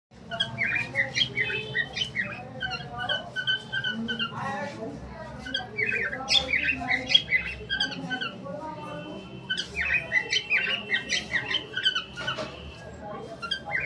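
A cockatiel chatters with bright squawks and warbled whistles, while a woman's voice is heard at times.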